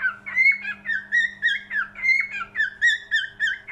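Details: Quick whistled cockatiel song, bending notes with upward flicks, repeated rapidly and evenly, accompanied by a low constant hum.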